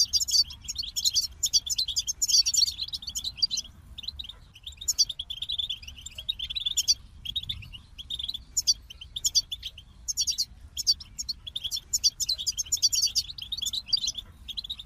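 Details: Goldfinch delivering long, fast twittering song with rapid chirps and liquid trills, coming in bursts of a second or two with short breaks, sustained for about fifteen seconds.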